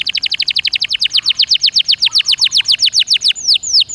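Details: Canary in energetic 'gacor dor nembak' song used as a singing prompt: a long steady series of sharp downward-swept notes, about six per second, slowing slightly, ending with two drawn-out arching whistles.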